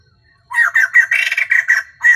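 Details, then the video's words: Lure hen white-crested laughingthrush singing all day to excite males. Following a short pause, a rapid chain of loud, rasping, laughing notes runs on, with one final strong note after a brief gap. "Tiếng chim bồ chao mái"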